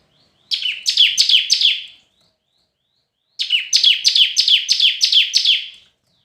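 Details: Red-whiskered bulbul in competitive singing: two bursts of rapid, bright, downslurred whistled notes, about three per second, with a short silent gap between the bursts.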